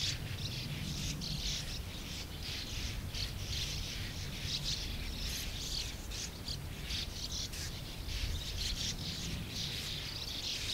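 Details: Colony of more than 100 sand martins chattering continuously, with dense, overlapping scratchy chirps crowding the whole stretch and a constant low background rumble underneath.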